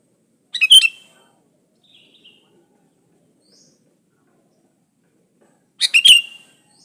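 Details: Sooty-headed bulbul singing energetically, an unmixed recording meant to draw other bulbuls into song: a brief burst of chirpy whistled notes, a long quiet gap with faint twitters, then a second similar burst.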